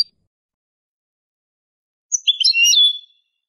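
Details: A European goldfinch gives one brief, bright burst of liquid, tinkling twitters, high-pitched and jumbled, about a second long after a long silence. It is clean Malaga-style song used to teach young goldfinches and goldfinch hybrids.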